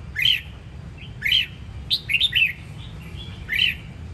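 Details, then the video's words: Red-whiskered bulbul of the Sông Kon line from Đông Giang, Quảng Nam, giving short, bright, warbled phrases, each a quick rising-and-falling burst, repeated about once a second with brief pauses over a low background hum. "Chào mào"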